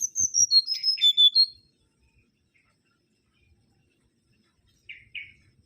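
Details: Mangrove whistler (Pachycephala grisola), an insect-eating bird of lowland, coastal and mangrove forest, giving a quick series of bright whistled notes that step downward, then silence and two short buzzy notes near the end.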